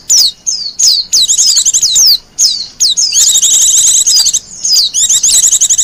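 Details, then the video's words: Wild Japanese white-eye singing, kept as a lure and master song: rapid high thin twittering phrases of sliding whistled notes, broken by short pauses, building into dense continuous chattering trills toward the end. "Suara burung pleci liar,cocok buat pikat dan masteran."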